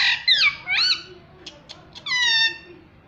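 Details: Pet Indian ringneck parrot, said to talk mummy and papa, gives loud bright screechy phrases, a few sharp clicks, then a long steady harmonic note.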